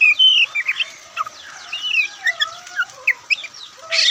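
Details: Oriental magpie-robin (Copsychus saularis), song.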